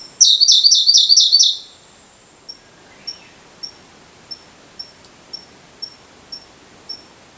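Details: Siberian blue robin singing, recorded four years earlier at a mountain pass reached by a forest road: a loud, rapid, trilled phrase of about a second and a half, then soft, high, thin ticks repeated about twice a second.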